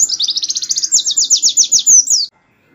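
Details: Canary 'tembakan' song for tutoring white-eyes; one unbroken high rapid trill of repeated down-slurred notes lasting about two seconds, ending in a brief whistled flourish.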